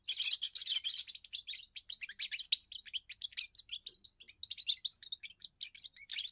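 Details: Young European goldfinch singing its first song, a display of territory and appeal to females: an unbroken, rapid stream of liquid twitters, buzzy trills and high tinkling notes running for over six seconds.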